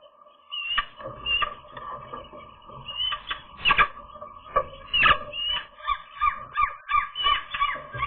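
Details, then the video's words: Young gulls on their first real airborne day, 7 July 2022, giving scattered harsh calls, then a quicker run of short, sharply inflected yelps about twice a second, over a steady background tone. "seagull chicks, airborne day"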